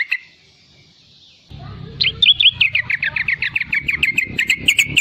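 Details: A low hum and near-silence come first. Then a young sooty-headed bulbul breaks into a riwikan sequence of fast, sharp, evenly repeated notes, a song used to prompt raw and young bulbuls to sing.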